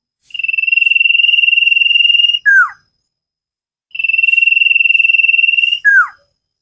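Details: Common iora, a cage bird, recorded for training: two long, level, finely pulsed whistles of about two seconds each, each ending in a short downward-sliding note, separated by silence.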